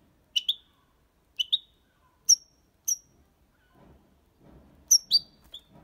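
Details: European goldfinch, six months old, giving sparse sharp high chip notes, some doubled, spaced about a second apart, with soft low shuffling noises near the end.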